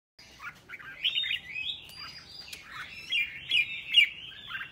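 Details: Red-whiskered bulbul singing in the morning as part of song training: a quick run of warbled, slurred notes, bright and liquid, continuing for several seconds.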